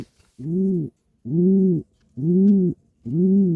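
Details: Contented pigeon sitting in the nest, wings twitching, gives four deep humming coos of even pitch, each near half a second, spaced about a second apart in a quiet indoor setting.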